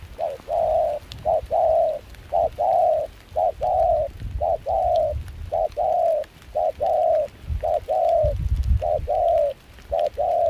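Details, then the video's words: Wild-caught spotted dove, mixed foreign-style voice, cooing steadily in cold windy rain at Kon Tum while used for decoying. Continuous short-long coo pairs roughly each second, with low wind rumble throughout. "Gác cu khi trời mưa gió se lạnh.bổi giọng pha nước ngoài chơi tốt"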